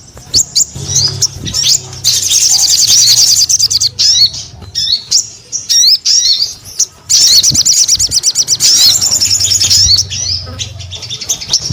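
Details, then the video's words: High, rapid twittering from a sogon singing actively (gacor), given in separate bursts of chattering notes split by brief silences and sharp ticks, with a soft low hum in the background. "SUARA SOGON GACOR"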